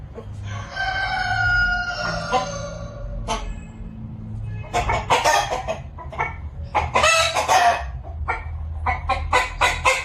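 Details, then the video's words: Rooster on a village farm gives a long harmonic crow over roughly two and a half seconds, then a burst of loud clucking and scratchy hen calls follows, with a steady low rumble underneath. "cock sound effect"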